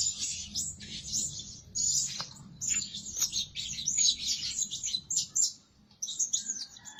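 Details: Lure-bird Blue-crowned hanging parrot, said to call day and night, pours out rapid shrill twittering chirps in a long run, then goes briefly silent before calling again.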